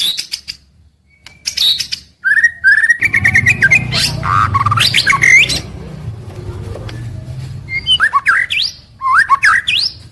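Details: Caged white-rumped shama daily song: sharp chips, then loud mixed whistles and harsh notes, later quick rising slurred whistles, over a low rumbling background.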